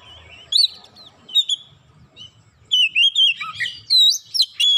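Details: Kacer or Oriental magpie-robin, worked up after being provoked once and delivering its isian: scattered bright whistled notes at first, then a dense rush of rising and falling slurred whistles and chirps.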